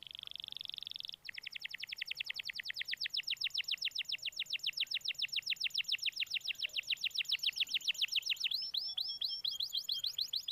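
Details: Canary singing as a lure to get a lazy canary going: an opening buzzy trill, then a long accelerating run of rapid descending chips, closing with faster curled whistled notes.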